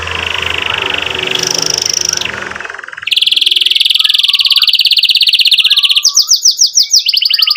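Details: Canary singing to stimulate young birds to learn song and to restart canaries that went quiet: a soft trill rising to a higher tone, then a loud extended roll followed by a run of rapid descending slurred notes.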